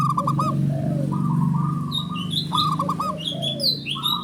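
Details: Male zebra dove, a local perkutut, giving its lure call to draw replies from other doves: pulsed, rolling coos and dipping lower notes over a steady low hum, with sharp high chirps from other birds later.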